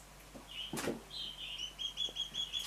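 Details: A pair of three-month-old juvenile Mountain quail: a sharp clatter, then a short high note and a run of evenly spaced thin piping calls, each with a faint upper overtone.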